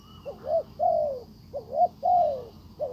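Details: A decoy spotted dove calls a wild bird that does not respond; two soft phrases, each a short rising double note followed by a long slurred descending coo, over a continuous high-pitched hum.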